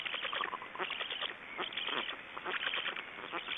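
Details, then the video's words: Black storks in Estonia after swallowing a big fish: a dense run of hoarse, noisy, broadband bursts about once a second, with irregular rasping and scratchy chatter throughout and no other clear sounds. "Estonian Black Storks - After swallowing the big fish"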